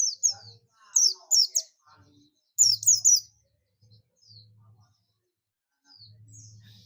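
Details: Oriental white-eye, buxtomi type, calling for companions (ngalas): quick bursts of two or three piercing, high descending chirps in a tight cluster, then softer distant notes, with a low hum in the background.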